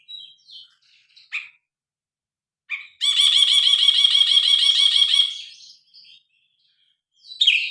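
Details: Phone recording of a grey-cheeked bulbul in lively song: a few scattered short notes, then a sustained fast rattle of repeated raspy notes for about two seconds, fading, followed by a final harsh note.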